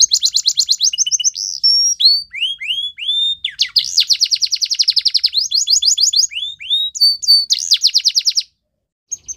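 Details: Belgian canary training song, a continuous stream of very fast high trills and chattering rolls mixed with downward-swept whistles, ending in a brief pause and a few single notes.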